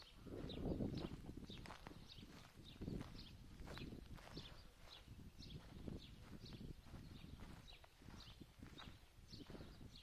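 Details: A group of recently hatched wild greylag goose goslings at Lake Neusiedl, guarded by mature geese, moving toward the water, giving rapid high piping peeps several times a second over continuous shuffling steps.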